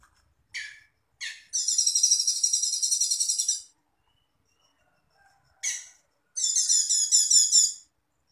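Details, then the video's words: Cucak cungkok master recording for training songbirds: two harsh rasping notes, then a long high buzzy trill of rapid pulses lasting about two seconds, repeated after a pause; no other sounds. "MASTERAN CUCAK CUNGKOK"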